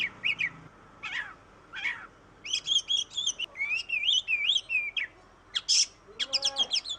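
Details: Oriental magpie-robin in 'gacor' full song, used as a lure to get reluctant birds singing: separated chip notes, then rapid runs of clear looping whistles mixed with harsh bursts and a descending trill near the end.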